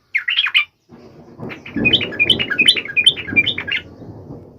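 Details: Trucuk, or sooty-headed bulbul, singing sharply with full emotion to make other trucuk birds sing. A short warbling phrase, then a lively run of bubbling, varied notes over a noisy low background rumble.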